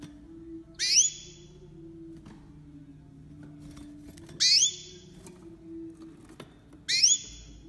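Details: Hybrid bred from a male green singing finch of Mozambique and a female crested canary, 2020: three short, bright chirps sweeping upward, each followed by a brief steady tone, spaced about three seconds apart over a low background hum.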